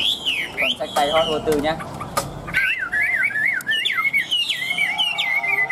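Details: Men talk at first, then a tame caged Chinese hwamei, said to have a loud voice, bursts into a fast warbling run of looping whistled notes that zigzag up and down.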